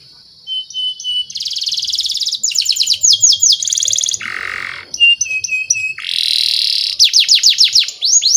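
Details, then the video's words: Canary lure song for training young canaries. Varied phrases change quickly: thin steady whistles, dense buzzy rattles, rapid rolling trills and a lower harsh burst, with sweeping whistled notes at the end. "SUARA BURUNG KENARI PANCINGAN MASTERAN PAUD BIAR GACOR PANJANG"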